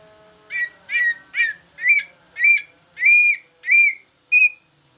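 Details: Jumbo greater green leafbird in a cage delivers bulbul-style song, eight spaced whistled notes, the early ones chattery, the later ones purer and slightly rising, each about half a second long.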